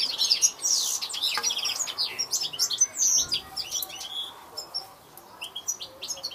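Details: Rambling high-pitched European goldfinch song of rapid chirps, thin whistles and buzzy trills, strong at first, then thinning out with a short quiet spell before a few final notes.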